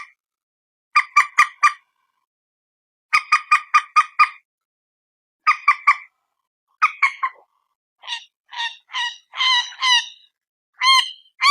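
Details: Common moorhen in Indonesia, captured on a mobile phone: bursts of four to five rapid squawks with pauses between, followed by slower, longer, more tonal cries.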